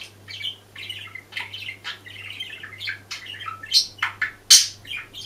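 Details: Budgerigar singing unaware of a hidden camera: a rambling, chattering warble of mixed squeaks and buzzy notes building into louder, harsh squawks near the end, with faint steady hum behind.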